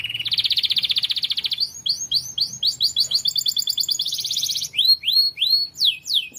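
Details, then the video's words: Lively canary song recorded as training material for pet birds: a long, dense high trill, then chains of short chirped notes and a rattling phrase, ending in bright downward-swooping whistles; no other sounds. "KENARI GACOR. MASTERAN BURUNG TERBAIK"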